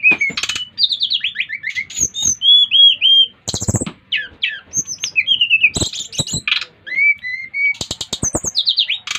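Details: Brown-chested jungle flycatcher from Bali singing to set other birds singing. It delivers varied whistled notes, wavering trills and downward-slurred phrases, interrupted by bursts of loud rattling clicks.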